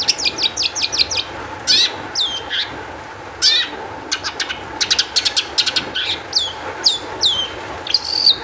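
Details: Long-tailed shrike in fast, emotional song, played as a lure so other shrikes will sing; quick stuttering high notes, harsh rasps and hooked down-slurred whistles in irregular, crowded phrases.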